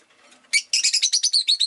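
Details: Rapid rattling series of about ten shrill chirps from a rosy-faced lovebird, packed into barely a second after a soft lead-in.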